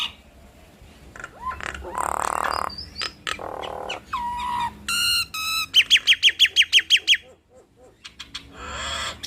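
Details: Dueting Nias hill mynas deliver varied whistles and grating squawks, then a burst of about a dozen fast, evenly spaced bright chirps, followed by a pause and a short rasp.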